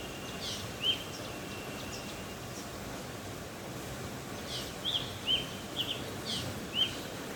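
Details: Black drongo giving short, sharp, whistled notes, one early on and then a quick run of four spaced about half a second to a second apart, over steady hissing background noise.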